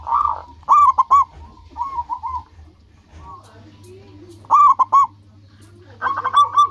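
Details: Zebra dove, a local perkutut whose song draws rival doves to answer. The coos come in several phrases of stuttering, fluttery notes, with loud bursts and softer runs between, over a steady low hum.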